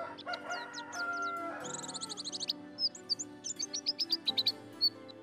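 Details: A white-eye, a bird that sings diligently at dawn, gives a loud, rapid run of high, thin chirps and twittering trills, with steady instrumental music underneath.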